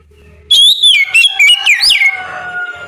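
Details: Oriental magpie-robin, morning ngeplong song used as a lure so other magpie-robins reply: one bright burst of quick, swooping whistled notes lasting about a second and a half, then fading into quiet.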